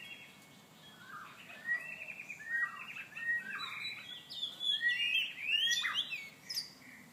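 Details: White-rumped shama in a mating chase, delivering a rich rapid song of bright whistles and quick chattering trills that grows louder and more complex toward the middle and end.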